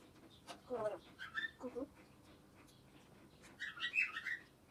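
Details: Parrot making lower speech-like syllables, then a pause, then a burst of high squeaky chirps near the end. Faint background hiss throughout.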